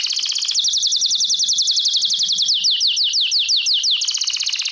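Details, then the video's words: ['Continuous rhythmic song of a Belgian canary for training: a sequence of sharp descending notes repeated about four times a second, slowing slightly before a fast trill at the close.'] "CANTO CANÁRIO BELGA"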